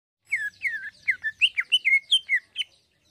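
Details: Greater green leafbird singing energetically in the fine 'isian halus' filler style: a fast run of about eleven clear slurred whistles, each sliding down, spaced roughly a quarter second apart, in a quiet setting.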